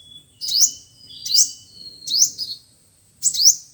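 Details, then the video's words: Sunbird song used as speaker playback for trapping: four bright, rising, squeaky phrases spaced about a second apart, preceded by a thin steady whistle. "Tiếng chim hút mật 5 màu và 7 màu"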